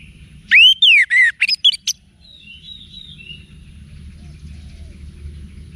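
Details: Orange-headed thrush with wiksar song for cage-bird training: three loud, slurred descending-rising whistles followed by quick sharp chips, then faint thin notes and low background hum.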